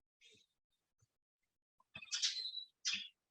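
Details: A Brown-eared Bulbul, a common, noisy resident bird in Korea, gives two loud, harsh, screechy calls, the first drawn out with a shrill ringing edge, after a few faint chips; quiet room sounds are in the background.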